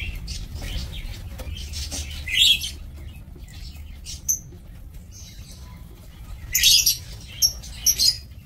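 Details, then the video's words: Lovebirds in a breeding aviary, 2 October 2024; sparse shrill chirps and a few sharp squeaks, two louder bursts separated by quieter stretches, plus faint rustling and low hum. "Aviary Lovebird"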